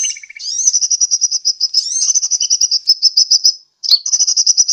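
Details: Sunbird call used as a lure, recorded at Pajampangan, Sukabumi, Indonesia. A few lower chirps lead into long, fast strings of piercing high notes with slurred upward flicks, broken by one brief gap near the end.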